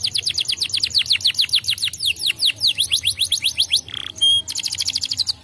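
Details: Canary singing to stimulate other canaries: a long series of clear downward-sweeping whistled notes repeated about five per second, a short nasal note and level whistles, then a fast rolling trill.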